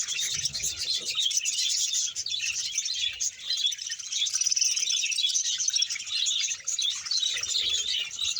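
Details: Budgerigar colony of about a hundred pairs in Bahawalpur, dense continuous high chirping and warbling chatter from many birds at once, steady without pauses.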